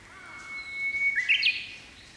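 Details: Japanese bush warbler on a May morning in Japan, perched on a pampas grass tip, singing: a sustained level whistle held about a second, then a sudden bright upward-twisting burst of notes, with quiet rural background.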